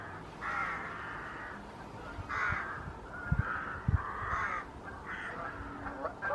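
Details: An unringed Lesser white-fronted goose of unknown origin at WWT Slimbridge on 16 October 2023 gives a run of harsh, nasal yelping calls, each about half a second, with a few low thumps and background hiss.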